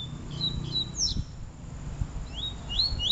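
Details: Peteleco versus Desejo song styles of the Double-collared seedeater: thin high whistles and steep downslurred notes, then a quick series of rising slurs, with faint low-pitched background noise.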